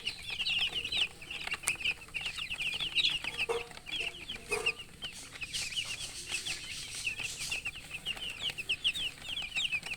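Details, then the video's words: Chickens chirp continuously, with rapid high peeps overlapping into a busy chorus and a couple of low thuds near the middle. "silly chicken chirping sounds with murgi hen color chicken"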